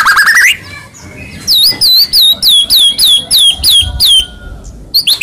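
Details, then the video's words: White-rumped shama song played to spur a silent shama into singing: a quick rising phrase, then a run of ringing, downward-curving whistles repeated about twice a second, ending abruptly. "Pancingan Handal Buat Murai Diam Seketika Langsung Emosi"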